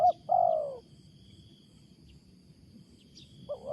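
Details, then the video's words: Wild spotted dove with an unusual loud coo: one drawn-out downward-sliding note between short coos, over a faint steady insect hum. "BURUNG LIAR SUARA BESAR || MENGUKU NYA ANEH"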